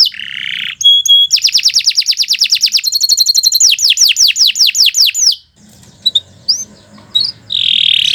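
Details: Canary in long, continuous song meant for tutoring: a brief harsh note and clear whistles, then a rapid rattling trill and a run of descending slurred notes, followed by a quiet pause with faint background hum and a closing buzzy note.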